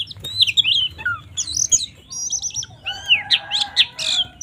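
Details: Fighting song of an Oriental magpie-robin meant to provoke rival males: sweet warbled whistles sliding up and down, a quick stuttering burst, then a dense run of loud rising notes over a soft low hum.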